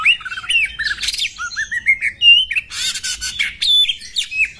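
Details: A female Oriental magpie-robin fighting gives a rapid jumble of sharp whistles, slurred notes and harsh squawks, high-pitched and almost continuous, with no other sounds.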